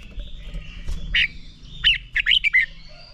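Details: Red-whiskered bulbul 'ché' training song for stimulating birds to sing a fighting song: a single harsh note, then a quick run of sharp, rising and falling whistles, over a steady background hum.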